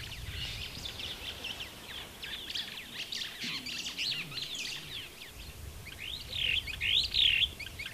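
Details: Superb starling recorded in Kenya, giving a stream of rapid high chirps and scratchy notes, ending with a few louder, looping whistled phrases.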